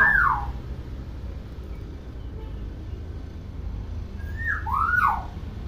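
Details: Common hill myna, a tame pet that imitates many sounds. It gives a single arched whistle, then silence, then two more swooping whistles near the end. A faint steady hum runs underneath.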